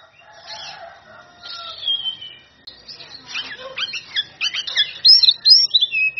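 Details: Oriental magpie-robin in top singing form, performing the loud 'ngeplong' style to call out rivals: soft, scratchy lower notes at first, then a rich run of varied whistled, warbling and sweeping phrases that grow louder toward the end.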